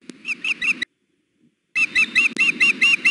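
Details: On a hot 2016 June afternoon at the Hellgate nest, the female osprey keeps fussing to be fed. A few sharp chirps, a second of silence, then a fresh run of loud, ringing whistled notes.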